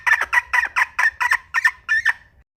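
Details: Red junglefowl hen producing about nine doubled, harsh clucking notes at a brisk pace, the last ones weaker before the calling stops.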